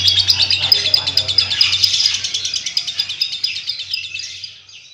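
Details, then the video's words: Lovebird in extended ngekek chatter, rapid high rattling notes that gradually fade toward the end, accompanied by a low hum early on. "Video burung lovebird ngekek panjang"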